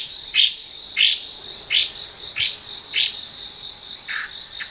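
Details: Hwamei, an invasive introduced bird in Japan, singing in a park's trees: the same bright upslurred note repeated about every 0.65 seconds, six times, the last lower, against a steady shrill insect-like background drone.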